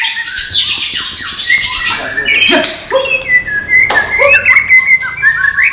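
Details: White-rumped shama, a non-puffing style, singing descending whistled slurs, sharp clicks and long level whistles that run into bright rising notes.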